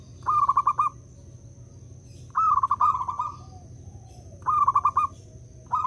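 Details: Local zebra dove giving lure coos to stir other doves into calling: three soft, rolling, bubbling phrases about two seconds apart and the start of a fourth, with a steady faint high whine.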